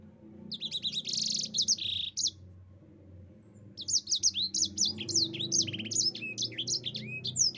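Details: Yellow-fronted canary (sanger) singing a long rolling song used as a tutor for other birds: rapid high sweeping notes, a dense buzzy trill near the start, a short pause, then a continuous fast warble.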